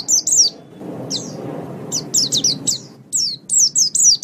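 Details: White-eye master song for caged-bird training. Short groups of high, downward-slurred chirps are broken by a near-silent gap, then resume as quick paired and triple notes toward the end.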